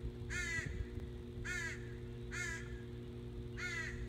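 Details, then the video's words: Very noisy crows in Northern Michigan on 14 July 2017 give four harsh, ragged caws about one second apart over a steady low hum. "Northern Michigan Crows"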